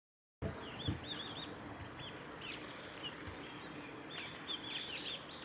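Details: A brown-eared bulbul gives short, high, squeaky chirps in scattered bursts, busier toward the end, over a steady outdoor hiss; recorded among cherry blossoms at a nature observation garden on 10 March 2019.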